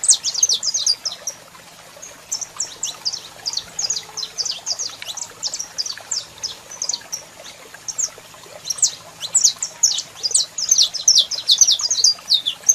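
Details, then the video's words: High, sharp twittering from a male Saffron finch with a calling female, dense runs of quick chirps and trills filling the whole stretch, pausing briefly midway before resuming, with a low hum beneath. "Canario da Terra Cantando Muito e Fêmea Chamando"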